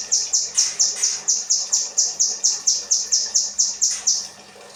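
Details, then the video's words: Kinoi song in the 'rambatan' style, offered as training material for cage birds: about seventeen high, clipped whistles in steady rapid succession, each dipping slightly, stopping near the end and leaving quiet background. "burung kinoi materi rambatan"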